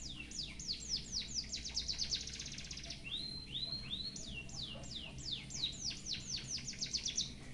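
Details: White-headed munia singing canary-style phrases, used for song tutoring: rapid series of high, steeply falling whistled sweeps, a few slower upward-curving notes midway, then another fast descending run, over steady low background hum.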